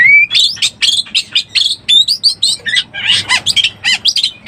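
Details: Oriental magpie-robin in breeding condition, recorded to lure birds: an opening rising whistle followed by a rhythmic string of short sharp whistled notes, about four per second, becoming more chattery and varied toward the end.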